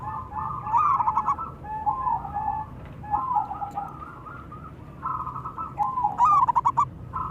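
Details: Local zebra doves, male and female, calling and answering each other: rolling, trilled coo phrases at a steady mid pitch, several bursts spread across the clip, ending in a fast stuttering trill.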